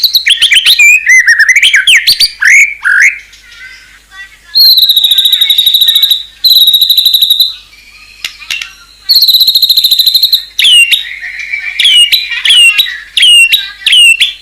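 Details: White-rumped shama in fill-rich, fierce singing: sweeping whistled slurs at the start, then long buzzy insect-like trills broken by short gaps, ending with repeated rising whistled notes.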